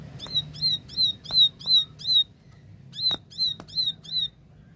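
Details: Clear 'tembakan' song from a plain prinia: two runs of about five ringing, buzzy notes repeated nearly three per second with a short silent gap between, plus a few sharp clicks and faint low hum.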